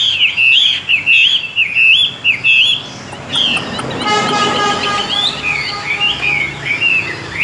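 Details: Chinese hwamei, a tame fighting bird, sings bright looping whistles, breaks off, then resumes after a burst of harsh, layered noise, finishing with more slurred, rising and falling phrases.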